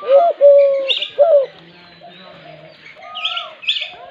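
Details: A dove coos in short, low tonal notes, a few clearly in the first second and a half, then fainter cooing alongside higher chirps from other birds.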